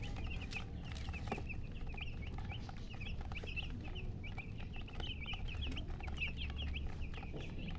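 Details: Coloured chickens and hen (murgi) peeping: short, high, upward-flicking chirps repeat rapidly and evenly for the whole stretch, with no lower calls, over continuous low-frequency background rumble.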